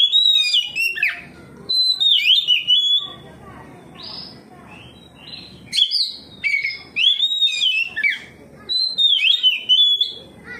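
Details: Oriental magpie-robin singing loudly and openly, answering another magpie-robin and unloading its repertoire; rich whistled phrases sweeping up and down, delivered in bursts of about one second with short pauses, over a faint low hum.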